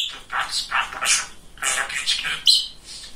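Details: Chatty male budgerigar kept as a pet, talking. Fast run of buzzy, hissing syllables, a thin high whistle near the middle, a short quiet break, then more chatter.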